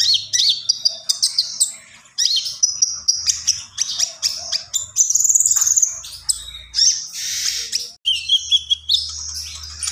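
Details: Common iora (konin) in full gacor song, a near-continuous stream of sharp high chips, buzzy trills and slurred whistles, with one short gap before the outpouring resumes.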